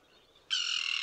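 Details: Common tern at a small colony with chicks near a mole off the coast at Liepāja, Latvia, June 2024, recorded with a Nikon Coolpix P1000; a single rasping, buzzy call begins abruptly after a quiet half-second.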